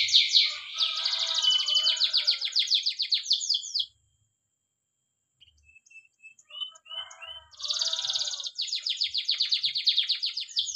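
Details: Spanish Timbrado canary training song, a long rattling trill of about four beats per second, a near-silent pause with soft whistles and chips, then the rapid high trill resumes.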